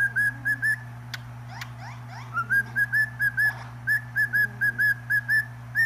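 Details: Cockatiel singing: short clear whistles repeated rapidly, interrupted by clicks and soft scratchy chatter, then a long steady run of about fourteen similar whistled notes over a low hum.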